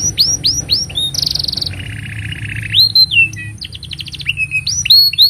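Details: Singing canary, a long song suited for tutoring juveniles: a run of rising whistled slurs, then a high buzzy trill, a lower sustained rattle, and quick repeated upsweeps with clear twittering notes.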